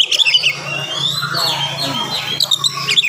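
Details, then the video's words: Oriental magpie-robin in the morning, singing fast and dense to provoke other magpie-robins: busy high chirps and whistled phrases with quick trills, over a steady low hum. "SUARA KACER GACOR DIPAGI HARI SPEED RAPAT cocok untuk naikin emosi kacer yang dengar"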